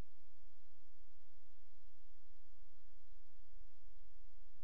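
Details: Low electrical hum and soft flat hiss run throughout, with no animal calling.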